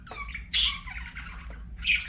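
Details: Pet budgie giving a loud harsh squawk followed by softer chattering notes and a final bright chirp.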